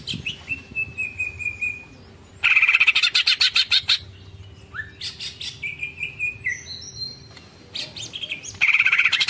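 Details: Greater green leafbird in prolonged "ngekek" song: a long level whistle, then a rapid chattering burst, descending slurred whistles, and another harsh rattling volley.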